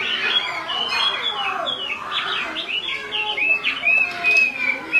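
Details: Chinese hwamei female calling repeatedly beside an unsettled male; blurred warbling at first, then clear, evenly spaced upslurred whistles in a rhythmic series.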